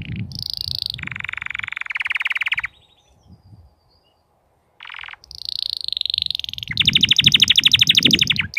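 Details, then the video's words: Crested canary in full form producing long buzzy rolls and fast rattling trills, separated by a pause, with a low rumbling background noise throughout. "تغريد كناري متوج (مقنبر) Chant Canari Pleine de Forme"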